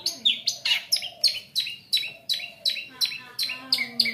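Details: Long-tailed shrike lure song meant to prompt other shrikes to sing: a brisk series of loud, harsh, descending high notes repeated roughly three times a second, with a faint low hum underneath.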